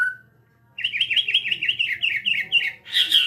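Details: Jabo-type white-rumped shama at Cipinang Muara, opening with a short low whistle, then a fast run of about a dozen repeated chirpy notes before a loud, harsh burst at the end.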